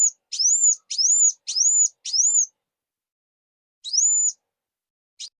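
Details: Sunbird (burung kuwul) singing: four quick high arched whistles, each rising then dropping, a pause of over a second, then one more whistle and a short final note.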